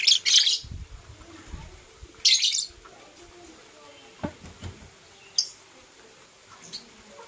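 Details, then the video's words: Lovebirds, a blue opaline and a euwing opaline, kissing in the morning: two loud harsh, scratchy chirp bursts near the start and again after two seconds, then a few faint short chirps, with soft low thumps of movement between. "Lovebird Chirping Sounds"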